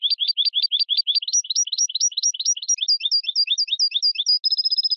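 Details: Clean recording of European goldfinch song: a long, steady series of quick repeated chirping notes that shifts pattern several times and ends on a sustained high tone.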